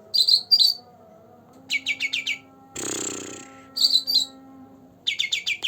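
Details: Green leafbird, two months old, singing actively, used to prompt birds that rarely sing: clusters of sharp high chirps and fast descending trilled notes in short bursts, with a loud hissing burst midway and a low steady hum.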